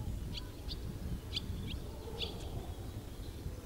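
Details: Barn swallow sunbathing on a village house roof in the Morbihan countryside on 11 September 2021, shortly before migrating, giving a few short, high chirped 'vit' notes, spaced irregularly, over a steady low rumble.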